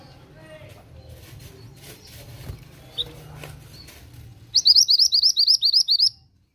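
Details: After a stretch of quiet background with a lone chirp, an Oriental magpie-robin bursts into a rapid, even series of piercing upswept whistles lasting about a second and a half.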